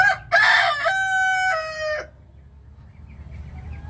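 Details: Rooster crowing: a loud, stepped cock-a-doodle-doo of about two seconds with a rich harmonic tone, dropping at the end, then faint chicken calls over a low rumbling background.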